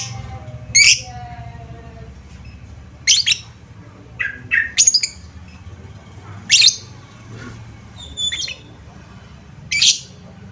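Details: Lovebird lure call: irregular shrill chirps and short squawks, some doubled, scattered across the stretch with faint twittering and a steady low background noise.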